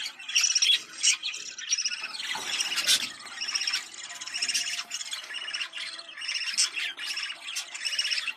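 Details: Budgerigar breeding call meant to rouse pairs to mate: an unbroken stream of chirps, ticks and squeaky whistles, dense and high, with a louder scratchy flourish around the third second.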